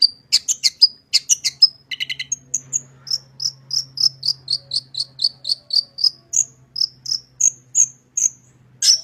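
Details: Long-tailed shrike in clear, full song meant to make shrikes sing quickly: opening rasping bursts and stuttered notes, then a long steady series of sharp high whistled chips, roughly three per second, closing with a harsh burst.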